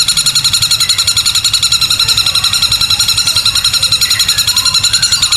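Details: Long-tailed shrike delivering a loud, long 'tembakan kuntilanak' burst with the beak opened wide: a steady, very fast run of high, sharp repeated notes, about three or four per second, unbroken throughout.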